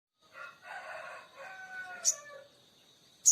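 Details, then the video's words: Oriental magpie-robin in strong singing form, giving drawn-out tonal whistles that slide and waver over about two seconds, with two sharp high clicks near the end. "SOGON GACOR"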